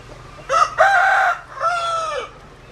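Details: Rooster crows loudly: a clipped opening note, a strong sustained middle section, then a slightly falling final drawn-out syllable.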